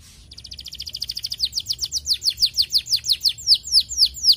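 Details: Canary song meant to quickly stimulate other canaries: a rapid series of downward-swept whistled notes that slows and grows louder, ending in evenly spaced clear chirps.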